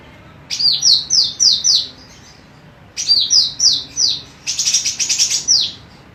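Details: Vocal female golden cucak rante, a tutor bird for training others, repeats phrases of five descending high whistles, pauses, sings again, then ends with a dense rattling burst.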